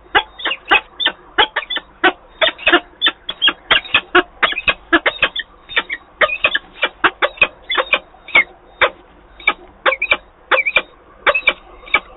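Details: At a Wałbrzych nest in Poland on 17 April 2022, peregrine falcons call during a changeover of partners. A fast, continuous run of rasping, chattering notes repeats several times a second and barely pauses throughout.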